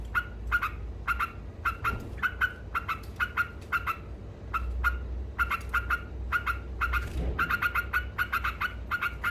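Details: Trucuk, the yellow-vented bulbul, singing energetic ngekek chatter to rile rival birds: rapid runs of short sharp notes, with brief pauses, over a constant low background rumble.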